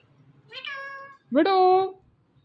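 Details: Pet rose-ringed parakeet indoors, talking to a phone: two drawn-out, nasal, speech-like syllables with rich harmonics, the second louder and rising at its start, over quiet room hum.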